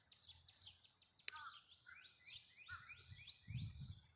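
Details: A male Northern Cardinal, heard on April 4, 2020 near flowering redbud trees, gives a loud, insistent run of about six quick, clear slurred whistles, with a sharp click and low rumbling background noise.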